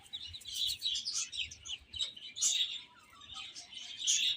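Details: Several chicks eating and playing, piping bright, high chirps in clustered bursts with short quieter gaps between groups.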